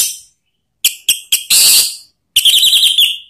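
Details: Orange-headed thrush call used to prompt other birds into loud, open singing. Several sharp, clipped notes are followed by a loud burst, then a rapid warbling trill that wavers up and down.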